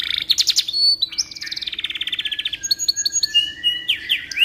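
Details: Canary song used as tutor audio for training oriental magpie-robins: a fast, varied warble of high trills, rapid repeated notes, buzzy rolls and sustained whistles, with a steady low hum underneath.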